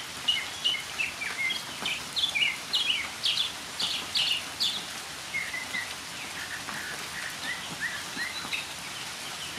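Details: Northern mockingbird singing in the rain, a lively series of varied phrases: rapid buzzy and chirpy notes repeated in short bursts, then lower slurred chirps, against constant falling rain.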